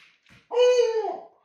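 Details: Owl calling at a Rilakkuma plush toy indoors: after a faint soft note, one drawn-out, slightly hoarse, steady tonal call lasting under a second, fading at the end in a quiet room.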